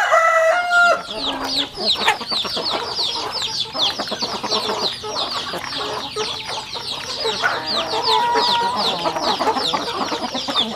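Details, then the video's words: Rural chickens eating together; a short steady tone opens, then a busy stream of rapid, downward-sweeping peeps, roughly three per second, over frequent pecking ticks. "Yummy sounds chicken eating"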